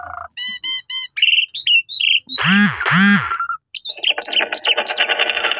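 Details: Asian pied starling song played as a lure for other starlings: a buzzy note, stacked harmonic chirps, short whistles, a harsh loud squawking burst, then dense chattering notes.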